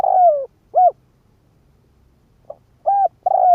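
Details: Decoy Spotted dove calling to stir up wild doves; the tail of one phrase, a long falling coo and short coo, then after a pause a faint tick and the next phrase beginning with rounded coos.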